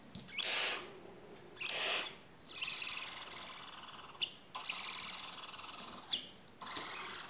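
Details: Four-week-old barn owl (Tyto alba) chicks give harsh, breathy hissing screeches, five rasping bursts of one to two seconds each, close together and sometimes overlapping.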